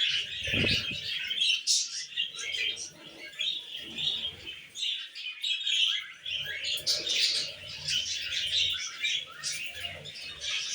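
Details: Pet male budgie flirting while perched on a bathroom shower, giving bursts of bright chirps and scratchy warbled phrases, with brief pauses between runs and a soft low thump near the start.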